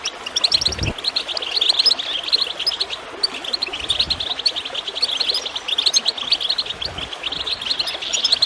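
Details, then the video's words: Over gurgling water, goldfinch chirping meant to encourage singing: fast, high, jingling twitters in long runs, interrupted by brief low splashes. "Water gurgling with goldfinch chirping to encourage birds to song"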